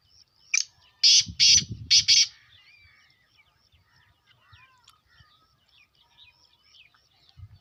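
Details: Black francolin giving its harsh, rasping call, a short note followed by a rapid run of three grating bursts, then quieter background chirps from other birds and a low rustle.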